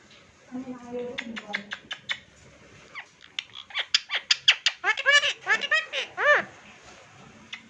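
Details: Pet Indian ringneck parrot talking: a low murmur, then a fast string of squeaky, chirpy, speech-like syllables, rising and falling in pitch, ending with a few clicks, indoors.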